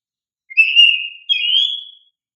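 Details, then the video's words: Loud, vigorous oriental magpie-robin used as a lure for young caged birds: a single pure whistled phrase made of a steady sustained note followed by a slightly higher, rising whistle, in a quiet background. "Pancingan Kacer GACOR Cocok untuk Terapi Burung Kacer Bakalan agar LANGSUNG RESPON"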